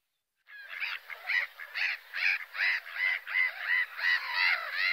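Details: After a moment of silence, a gull starts a steady string of short, strident yelping notes, repeated more than twice a second for several seconds.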